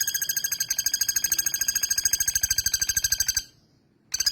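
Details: Male common flameback calling loudly and persistently: a harsh, rattling series of buzzy notes, roughly three to four per second, running for over three seconds, then a short silence before the rattle resumes.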